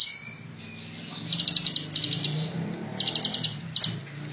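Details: Sunbird of the 'ninja' type, singing actively for a tutor recording, giving shrill high trills in short bursts of rapid pulsed notes, with a low steady hum underneath.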